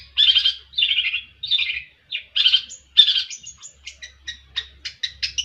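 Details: Harsh rasping phrases from a long-tailed shrike, several buzzy bursts in the first half giving way to a quick series of sharp high ticks and chips.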